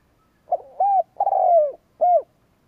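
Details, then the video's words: Kept decoy spotted dove cooing to provoke rivals: a soft short note, an arched coo, a long rough descending croon, then a final clear arched coo, all low and mellow, in quiet surroundings. "Cu mồi gáy kích bổi chuẩn mới / Chim cu gáy kích bổi nghe là gáy / Cu gáy kích bổi nhanh"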